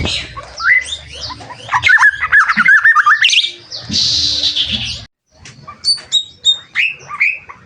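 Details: White-rumped shama from Medan singing a varied run of rich whistled and warbled notes, then a harsh, buzzy burst, a brief silence, and a series of clear, high, ringing whistles with short downslurred notes.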